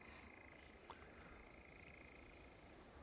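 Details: European nightjar on Wiggonholt Common giving an unbroken churring trill, even and level throughout, with a single short click partway through and low background rumble.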